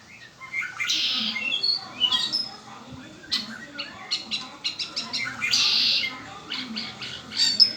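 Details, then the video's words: Kept Red-winged blackbird song: a buzzy trill followed by quick sharp clicks and chips, then another harsh buzzy burst and a string of short chirps. "Hermoso y exótico canto del Mirlo ala roja ó Red winged black bird"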